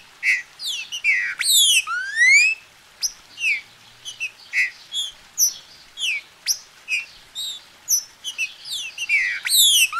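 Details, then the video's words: Captive green-winged saltator from a registered Brazilian breeder, played to warm up another bird to sing: a busy run of clear slurred whistles, some rising and some falling, with brief bright upsweeps and short pauses. "Esquente seu trinca"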